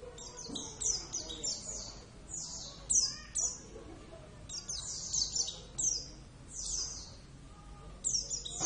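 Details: Pet Oriental white-eye, Javan subspecies Zosterops palpebrosus javanus, in full active song: rapid chains of very high, sweet, downward-sliding whistles, bunched into busy phrases every second or two, with a quiet background.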